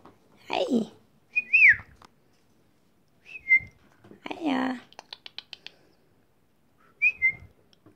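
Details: Pet macaw in a bathroom, following its owner and talking to the mirror: short whistled notes that slide up then down, heard three times, between harsh broadband squawk-like bursts and a quick series of clicks, with a person's voice nearby.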